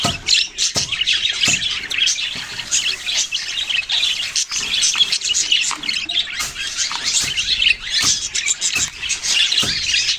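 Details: Budgerigar flock with young birds producing continuous high chirping and chattering, occasional sharp clicks and taps punctuating the dense chorus.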